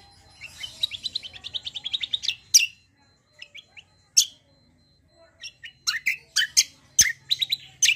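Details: Greater green leafbird delivering a long rolling song: a fast, even trill of bright chirps builds into a loud note. After a brief pause come scattered sharp calls and a dense burst of varied chirping.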